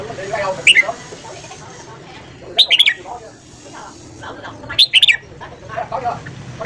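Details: Red-whiskered bulbul morning song used for voice training: brief bright whistled phrases of three or four quick notes, separated by pauses of about two seconds, over a low murmur that sounds like distant voices.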